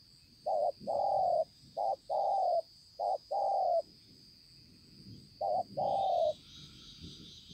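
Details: Wild-caught spotted dove with a fine spotted collar, Konlong, 5/9/2020. Four clean paired coos, a brief note then a long level one, in a quiet setting with a faint high whine.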